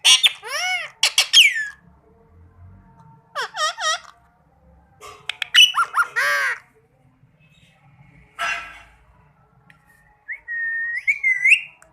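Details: Green ring-necked parakeet, called a talking parrot, giving loud harsh arched squawks in quick clusters with gaps between. One raspy burst is followed by a final rising whistled note; no other animals heard.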